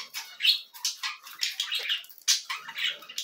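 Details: Cockatiel chicks being hand-fed, giving harsh, raspy squawks in short bursts of roughly half a second, repeated about every half second with brief gaps, plus faint soft rustling in the background.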